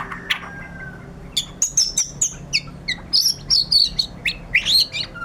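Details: 'Gacor' singing by a white-rumped shama: spaced, sharp whistled notes at a steady pace, then a run of high sliding whistles and quick upward sweeps.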